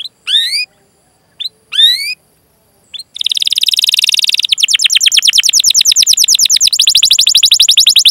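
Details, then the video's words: Canary song used to prompt young or silent canaries: a few separate rising chirps, then a long continuous rolled trill of fast repeated notes that changes tone midway. "Masteran Suara Burung Kenari Gacor Panjang cuit cuit Ngerol untuk Pancingan Kenari!"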